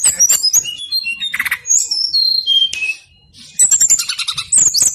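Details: Brown-chested jungle flycatcher singing persistently, used to lure other birds into singing: high sweet whistled notes, some slurred downward, broken by short buzzy chattering bursts and a brief pause near the end.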